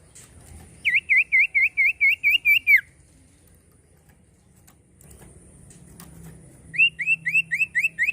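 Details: Common iora whistling a series of eight looping, dipping notes that end in a downward slur, then after a pause a run of six rising whistled notes, over a low faint hum.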